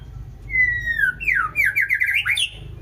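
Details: White-rumped shama giving a clear whistled note that slides downward. It leads straight into a fast, warbling, rising and falling phrase that ends on a high, bright flourish.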